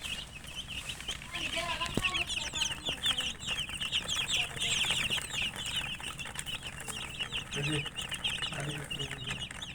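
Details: Chicken chicks keep up a steady chorus of high, quick peeps, joined by rustling, a sharp click and a few low hums.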